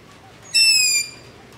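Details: A single long-eared owl begging call, recorded after dark near a house with a ZOOM H5 and LOM Usi Pro: one high, squeaky, slightly falling screech lasting about half a second, over quiet background hiss.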